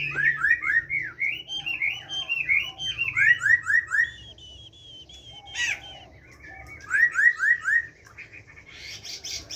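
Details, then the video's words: A captive Chinese hwamei sings in forest voice: repeated series of fast, downward-slurred whistles, about four per second, pausing between bursts, with one sharp harsh note in the middle. "Họa Mi hót . tiếng chim họa mi hót giọng rừng nuôi"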